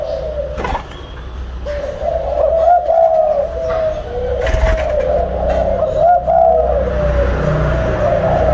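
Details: Captive breeding pair of spotted doves, a parent pair kept for raising young, recorded at 10 a.m. on 5 August 2023. Repeated low cooing phrases, gently wavering, sit over a steady droning background with occasional knocks and clatter.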